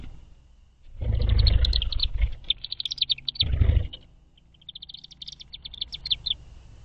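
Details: Chimney swifts coming to roost on their first night at an artificial chimney tower in Butler County, western Pennsylvania, 5 May 2023; fast, high, stuttering chipper series, overlaid by two loud low rumbling thumps.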